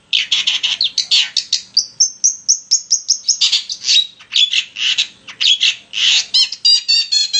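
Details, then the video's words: Long-tailed shrike lure song meant to make other shrikes sing: fast scratchy chatter, then a string of thin repeated whistles, followed by buzzy bursts and a few clear rising notes at the end. "TES MENTAL CENDET DENGAN PANCINGAN SUARA CENDET GACOR||AUTO IKUT BUNYI"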